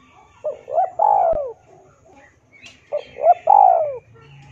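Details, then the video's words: Lively spotted dove song for training and stimulating captive birds: two matching phrases, each two quick rising hoots followed by a drawn-out falling coo, with soft bird chirps in the background. "SUARA BURUNG TEKUKUR DERKUKU GACOR MANGGUNG UNTUK MASTERAN DAN PANCINGAN!"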